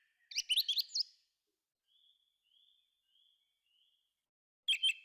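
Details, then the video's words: Thrush singing in a forest: a rapid, high twisting whistled phrase, then several faint thin notes, then a loud sharp chirp at the end. "Thrush singing"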